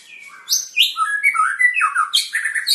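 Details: White-rumped shama of the long-tailed Medan type during a pairing session for breeding: loud, varied whistled phrases that sweep up and down, with rapid high notes and slurred lower whistles packed closely together.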